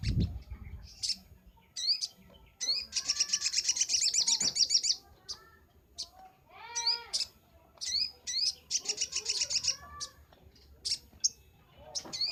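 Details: Crimson sunbird singing vigorously in a master recording for training cage birds: bursts of very high, rapid chirping trills and sharp upslurred notes, broken by pauses, with softer lower warbled phrases between bursts and a thump at the start.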